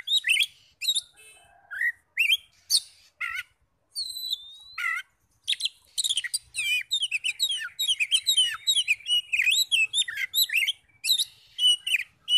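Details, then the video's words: Oriental magpie-robin song used as a lure to make other magpie-robins sing; long varied performance of whistled slurs and harsh notes, becoming a dense rapid warbling run in the second half. "PANCINGAN NAIKAN EMOSI KACER 100% IKUT NYAUT NGEPLONG"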